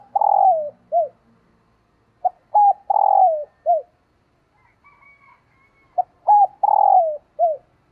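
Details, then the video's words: Female spotted dove giving its call to excite males, soft hooted phrases each with a drawn-out falling coo and a clipped final note, three bouts with a faint higher whistle in one pause. "Tiếng Chim Cu Mái Kích Trống"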